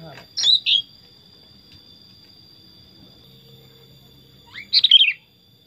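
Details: Tame pet Sooty-headed bulbul, described as very chatty: two short, bright, falling warbled phrases, one at the start and one near the end, separated by quiet, over a steady high electronic whine.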